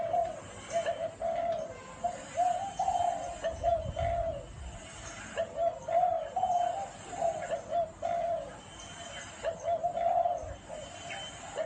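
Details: Spotted dove cooing in the style Vietnamese keepers call gáy gù, a series of throaty two- and three-note coos repeated in phrases separated by short gaps, with a brief low thump near the start.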